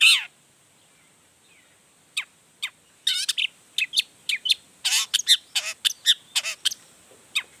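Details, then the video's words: Long-tailed shrike singing at full intensity to lure rival shrikes into song. It opens with a loud harsh note, falls briefly quiet, then gives a string of sharp chirps, rising whistles and rasping bursts spaced by short pauses. "Toetan Cendet Gacor Full Emosi Bongkar Materi Bikin Cendet Lain Langsung Panas Nyaut Ikutan Bunyi"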